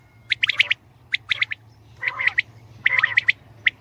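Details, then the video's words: Batair, the common quail, giving quick clipped notes in tight groups of three or four, some harsher rasping bursts between them, over a faint low hum. "Batair ki Awaz , Batair Sound vol 69 , Common Quail Sound 2020 | Common quail Calling"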